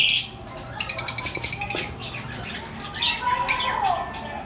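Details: High-pitched lovebird chirping: a rapid run of about ten clipped chirps, then a few harsher squawking notes and a falling whistle, with background hum.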